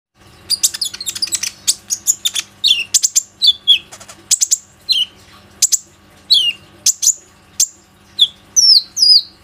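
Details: Plain-throated sunbird used as a lure to get other sunbirds singing, recorded on a phone: rapid high chirps and sharp downslurred whistled notes in quick bursts, with a faint low hum underneath.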